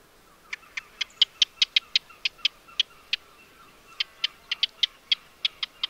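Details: Eurasian wren wintering in a yard, giving a series of sharp, dry ticks, irregularly spaced about five per second, with a brief pause in the middle before the ticking resumes.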